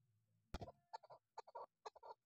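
A female chukar partridge gives three short bursts of clucking chuck notes, about half a second apart, after a sharp knock and a low background hum.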